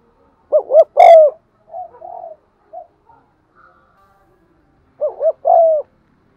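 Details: Spotted dove cooing and urging to provoke wild doves: a loud three-note hooting phrase, softer low murmuring notes, then the same phrase repeated about four seconds later.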